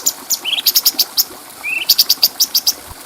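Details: Clear bulbul song intended to train other birds. Two short, low rising whistles each lead into a run of evenly spaced, high, bright chirps, roughly six per second.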